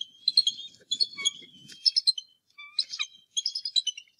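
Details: Bald eagle at the Decorah North Nest, where the adult male angrily confronts an intruder on the morning of 2 March 2018, during the egg season. High, piping chattering notes come in quick bursts, about three series in four seconds.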